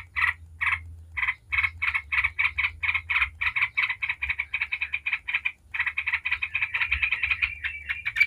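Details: Yellow-vented bulbul in fast ngebren chatter meant to get other bulbuls singing: spaced buzzy notes that speed up into a dense rattling run toward the end.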